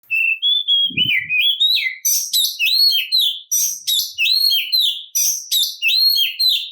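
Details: Oriental magpie-robin (kacer) in full aggressive fighting song meant to provoke other males: loud, varied whistled phrases sweeping up and down, rapid chattering notes between, with a brief low thump near the start.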